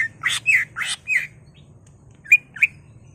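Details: Caged greater green leafbird, gacor and worked up, used to provoke another caged bird into singing: loud burst of short buzzy chattering notes and slurred whistles, a pause, then two sharp clipped notes.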